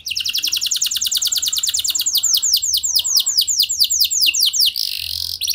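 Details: Canary lure song for making other canaries sing: a long series of fast descending trilled notes changing into broader swooping whistles, ending with a short buzzy burst.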